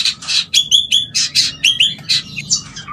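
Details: White-rumped shama mating call meant to stimulate mating: rapid series of harsh, high chattering notes with short whistled elements, about two per second, loud and close.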